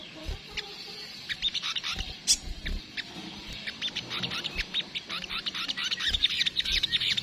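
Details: Kemrecet singing by a crimson sunbird (sogok ontong): scattered high sharp chips at first, building into faster, denser twittering in the last few seconds, with faint low background noise.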